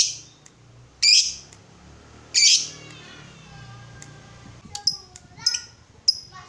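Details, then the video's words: Lovebird lure recording meant to spur ngekek from other lovebirds: two loud, harsh high squawks, then quieter thin whistled notes and short chips over a hissing, rumbling background. "PANCINGAN SUARA BURUNG LOVEBIRD UNTUK MERANGSANG LB APAPUN CEPAT NGEKEK"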